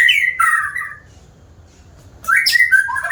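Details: Frequent-singing white-rumped shama giving two loud, harsh, rich phrases of mixed whistles and grating notes, separated by about a second of near silence.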